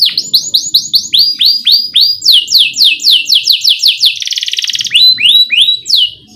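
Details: Energetic canary song for coaxing young canaries into song: a series of clear downslurred whistles about four per second, a brief buzzy trill, then a few rising notes, with faint low background noise.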